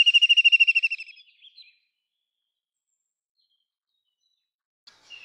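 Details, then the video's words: White-throated kingfisher giving a loud, rapid rattling trill of about a dozen sharp, high, evenly spaced notes lasting one second, fading into a few soft notes, then silence with a faint brief call near the end. "White-throated kingfisher Call Song ! White-throated kingfisher Sounds"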